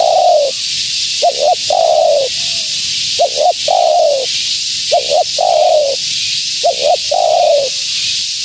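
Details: Female spotted dove calling to bring wild doves closer, giving five even phrases: a quick double note, then a drawn, descending purring coo, over a bright hiss.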